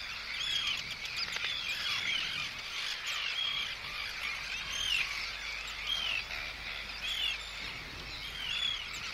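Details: Arctic terns scolding an intruder with anxiety and threat calls, recorded close; clear downslurred cries repeat roughly every second over a dense background of other birds calling.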